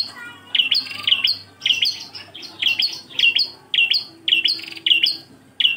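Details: Bar-winged prinia, prenjak klawu, singing engkel-style tutor song: bright high doubled chirps, each a sharp note slurring down then a higher tail, repeated in quick runs about twice per second over a quiet background.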